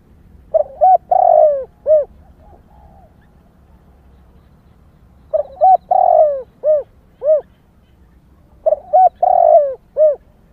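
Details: Female spotted dove calling to excite males: three cooing phrases about two to four seconds apart, each with short low coos, a longer drawn-out coo and a rounded closing note, over a quiet background.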